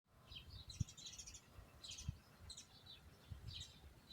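Small birds give short bursts of high, twittering chirps about once a second, over low rumbling wind noise and a few dull thumps.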